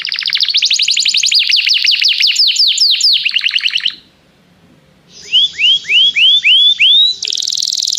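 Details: Canary singing to call another canary to sing, part of song training; a long, fast cascade of descending chirps, a pause of near silence, then five clear arched whistles and a dense buzzy trill.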